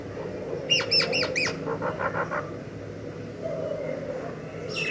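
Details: Myna giving a quick burst of four ringing, ringing downward-curving notes, followed by softer repeated chirps, then a quiet stretch with a low hum and a distant note at the end.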